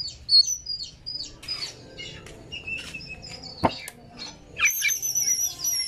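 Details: Oriental magpie-robin song used as a lure to make a kept bird open its tail and chatter: quick high chirps and short whistled notes, a sharp click near the middle, then a bright rising flourish with fluttering sounds at the end.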